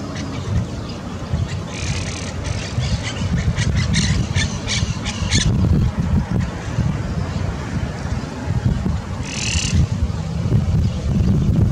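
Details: Monk parakeets in Calexico, Imperial County, California, on December 11, 2022, giving a rapid run of harsh, grating squawks, then a single later squawk, over heavy continuous low rumble from vehicles.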